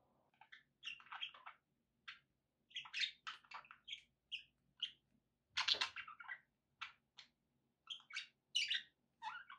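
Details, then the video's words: Budgies chattering continuously indoors, a steady stream of short scratchy chirps and warbles with brief pauses, one louder harsh burst near the middle. "relaxing budgie sounds"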